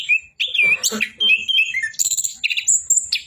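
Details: An orange-headed thrush sings clear, sliding whistles mixed with sharp high chirps and a few squeaky rising notes, the phrases short and varied.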